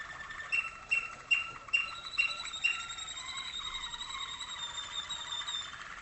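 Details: Father or tutor waterslager canary, North Canton, Ohio, training 2011-hatched young in darkened cages to water tours: six sharp clicking notes about every 0.4 seconds, then a steady high rolling, watery trill to the end.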